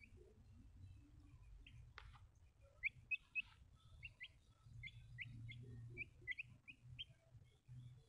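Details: Baby chicks giving quiet high cheeps, clustered in quick runs of short downward-slurred notes, over a low steady background hum with one sharp knock.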